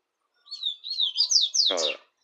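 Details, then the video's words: Double-collared seedeater song, Tui Tui style compared with the common style: a single clear phrase of wavering whistles climbing into quick slurred notes, ending in a harsh buzzy burst, against a quiet background. "papa capim Tui Tui x comum"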